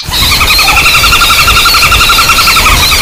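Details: A common flameback lure recording combining fighting calls and screams gives a dense, rapid series of harsh, high screeching notes, nearly three a second, with a low rumble like distant traffic underneath.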